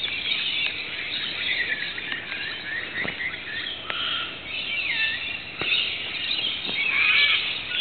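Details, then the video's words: Local Australian Rainbow Lorikeets with other birds, calling when rain started after a run of sweltering hot days: harsh, high screeches and squeals in an unbroken chorus, swelling near the end, with occasional patter of rain. "the local Rainbow Lorikeet's and other birds started rejoicing"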